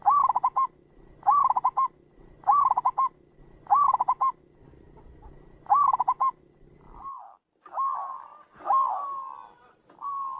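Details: Local zebra dove call, a clear lure for trapping: several rising-then-stuttering coo phrases at a steady pace, then the recording shifts to longer, drawn-out, wavering notes of a different character.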